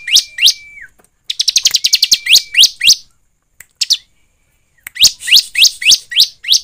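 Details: Lure song of the bar-winged prinia to set the bird singing: a long, even whistle, then a rapid rattling run of high chirps, a quieter gap, and a final steady string of strong, sharp, down-slurred notes.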